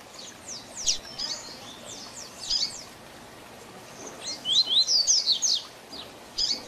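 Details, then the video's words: Double-collared seedeater performing a Tui Tui Zel Zel tutor song for training: quick high slurred notes, a quieter gap, then a loud rhythmic string of ringing sweeping whistles and one final chip. "Tui Tui Zel Zel Diferenciado Encarte seu Coleiro ou Papa capim"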